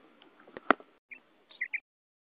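A female common quail gives three short, soft, mid-pitched chirped notes in quick succession, after a stretch of rustling hiss and a sharp click.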